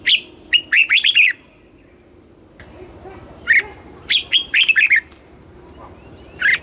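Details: Red-whiskered bulbul from Thailand, kept caged, in southern master-song style used to rouse caged birds and school young birds: rapid, bright, slurred whistled phrases in two bursts, a quiet gap between them.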